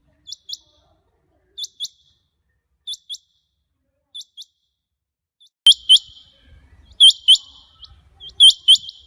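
A rain quail gives sharp, high, metallic double notes, repeated about every second and a half. The notes grow louder midway, with a click and a low rumble underneath.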